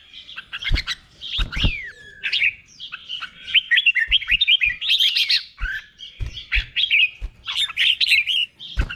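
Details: Thai caged red-whiskered bulbul giving the slow, clear doubled 'beon' song for birds to copy. Dense streams of cheerful, looping whistles and chirps with short breaks, several low thumps in the background.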